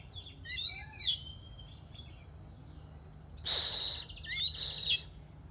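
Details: Oriental magpie-robin song: a series of varied whistled and slurred notes, then a loud harsh rasp followed by a buzzy trill.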